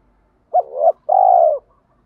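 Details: Spotted dove cooing to excite training birds: a brisk quivering note swelling upward, a short gap, then a long even coo that slowly drops at the end, in a quiet setting.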